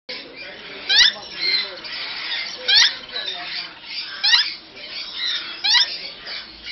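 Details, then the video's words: African grey parrots mating, kept in Bangalore: harsh, raspy squawking runs throughout, broken by four sharp rising whistled sweeps spaced about one and a half seconds apart, in an indoor setting. "African Grey Parrots Mating"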